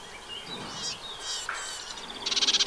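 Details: Eurasian reed warbler at a 2023 nest in a wet meadow by the Vilaine river near Arzal, Brittany, on 15 June 2023: a jumble of high, scratchy chirps ending in a rapid, grating chatter of about a dozen notes a second, over soft hiss.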